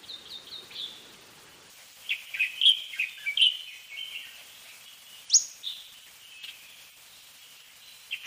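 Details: A Fork-tailed sunbird (Aethopyga christinae) sings a high, thin twittering song of short chips and trills, bunched in bursts with brief pauses, over a faint background hiss.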